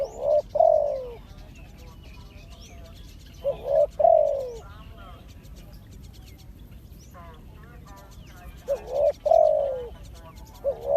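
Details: Spotted dove, used as a decoy for trapping, repeating a soft two-part coo roughly every four seconds, the second note longer and sliding down, while smaller birds chirp and twitter in between against steady background hiss.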